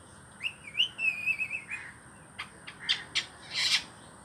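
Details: Green ring-necked parakeet, a pet bird just beginning to talk, gives a wavering, bending whistle, then a string of short clicks and chirps ending in a rough squawk.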